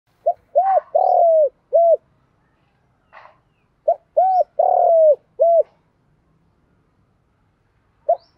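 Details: Spotted dove performing a fighting coo in the local style called giọng thổ, urging a rival to coo: groups of low hollow hooted notes, two short coos then a longer drawn, falling one, repeated after pauses, with a faint rasp between.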